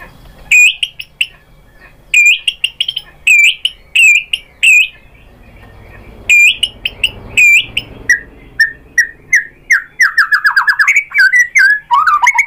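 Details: Lure song of the white-rumped shama to make other shamas sing: repeated high sharp phrases in bursts every second or so, then a quick descending series of whistled notes.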